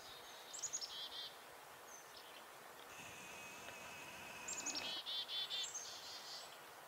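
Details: Black-capped chickadee alarm call, to which a nuthatch responds by freezing: two bursts of high, rapid, buzzy-edged notes with a thin sustained tone between them, over soft hiss.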